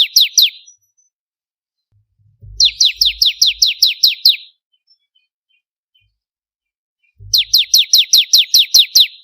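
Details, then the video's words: Bar-winged prinia (ciblek kristal) training song: repeated series of shrill, falling notes in bursts of about ten, with faint low thumps underneath and quiet pauses between phrases. "Masteran suara burung ciblek kristal 4 variasi"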